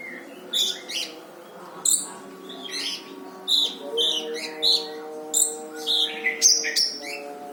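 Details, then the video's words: Brown-throated sunbird song as a master recording for training other songbirds, dense with rough bursts: short high chirps and thin whistled notes in clusters about every half second, over a steady low hum. "Burung Masteran Kolibri Ninja dada coklat gacor"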